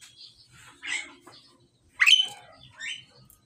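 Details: A male and female Pied Myna pair being matched together give a few scratchy chirps, then a loud, abrupt, harsh squawk followed by a softer buzzy note.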